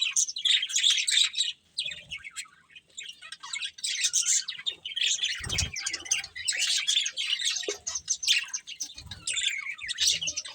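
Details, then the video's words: Several colourful pet budgerigars chirping while eating; dense, overlapping high twittering and warbled chirps run almost without pause, with brief soft low thumps in between. "Colourful Budgies Chirping Sounds | Love Birds Eating"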